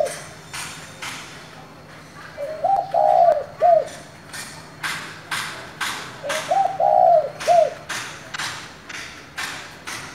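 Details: Spotted dove with a thổ-type voice calling to excite rival doves: two low cooing phrases about four seconds apart, each a short lead note, a longer warbled coo and a brief falling end, over repeated sharp tapping noises.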